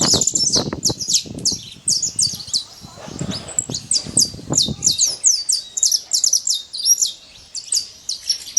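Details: Saffron finch living free in the wild, pouring out quick bright chirped notes in a continuous high string, with low thumping and rustle in the first five seconds before it quiets.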